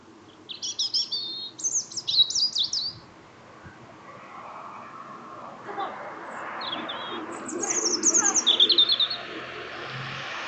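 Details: Small songbird greeting its listener after work with high, twittering song phrases: a burst of quick, chattering notes early on, a lull filled with rustling background noise, then another sharp, warbling run near the end.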